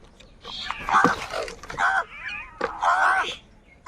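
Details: Several crows in the morning, possibly fighting over food, give three harsh, nasal caws, each about half a second to a second long, with a faint thinner call from another bird between them.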